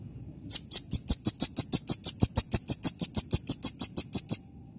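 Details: Rambatan, the velvet-fronted nuthatch, in full song: a long, loud, evenly spaced string of about twenty-two piercing high notes, roughly six per second, over a quiet background.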